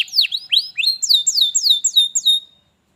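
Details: Canary phrase used to prompt a lazy canary to sing: a series of looping whistled downslurs and upswept notes, about three per second.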